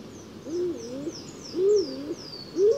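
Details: A stock dove, an uncommon bird of deciduous woodland, gives low, two-syllable coos about once a second, starting sluggishly then pumping and half-choked, with thin descending whistles from another bird high above.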